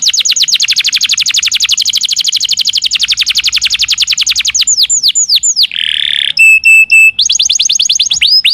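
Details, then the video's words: Canary master song used to make kept canaries answer and sing: a long rapid trill of high descending notes, then slower sweeping notes, a harsh buzzy burst and bright piping tones before the trill resumes. "Suara masteran burung kenari"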